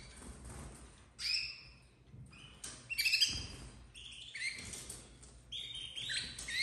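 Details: Young domestic canaries, bred in 2024 in red, yellow and white with and without crests, give repeated thin high piping calls, some sliding or rising, in clusters across several seconds, with faint rustling and low background hum indoors.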